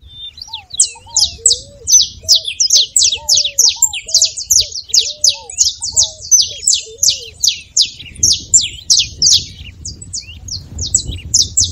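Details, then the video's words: Saffron finch in fine song, offered to spur a quiet canary into singing: a fast stream of sharp high chirps, about three per second, with soft low arched whistles running beneath and faint background rumble. "canário da terra com belo canto pra foguea seu canário frio"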